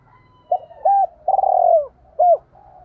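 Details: ['Lure cooing from a decoy spotted dove aimed at wild doves. An arched note is followed by a long vibrating coo and a final arched note, over a low background rumble.']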